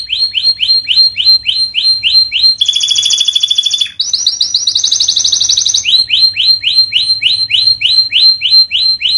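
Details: Canary song recorded for training silent birds: a quick series of repeated downward-swept whistled notes, a buzzy high trill, a rising fast roll, then the swept notes repeated again at a steady, rapid pace.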